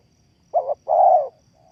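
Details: Spotted dove lure call for trapping: one low phrase of a brief double coo then a longer, rich rolling croo, trailing into a faint soft note.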